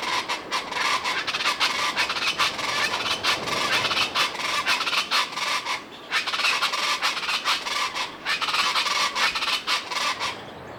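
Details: Morning jungle in the Sierra Madre mountains by Banderas Bay, where loud, social common chachalacas move through the trees: a continuous rasping, grating chorus pulsing steadily throughout, with few breaks.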